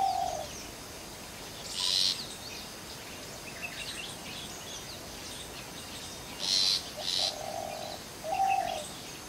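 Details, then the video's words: Long-tailed shrike giving short, harsh, rasping bursts a few seconds apart, with lower steady hooting notes from another bird in between. "Long Tailed Shrike Call"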